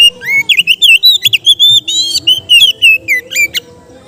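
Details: Kept Oriental magpie-robin singing in a relaxed style used to train kept birds: a fast, varied stream of loud, clear whistles, slurred notes and sharp chips, about two per second, over a soft low hum.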